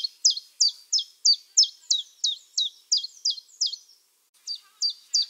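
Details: Common chiffchaff (Phylloscopus collybita), song.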